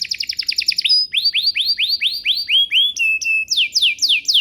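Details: Canary lure song for getting other canaries to sing: a fast high trill, then a regular series of rising, curved sweeps, level whistled notes, and loud falling slurs at the end.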